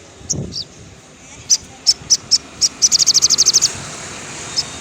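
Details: In the afternoon a crimson sunbird (sogon) gives isolated sharp high chips that speed up into a quick series of about ten piercing notes, then falls quiet.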